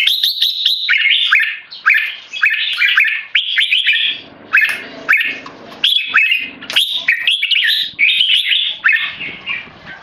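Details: Loud keke calling from a tame, Singapore-raised male red-whiskered bulbul being disturbed by humans: repeated bursts of harsh, scratchy upslurred notes, roughly one cluster per second over ten seconds.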